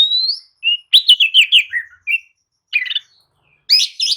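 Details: Lure song of the Oriental magpie-robin (kacer), played to perk up a lethargic bird: a smooth rising whistle, then a fast descending trill of notes, a pause, and harsh chattering bursts.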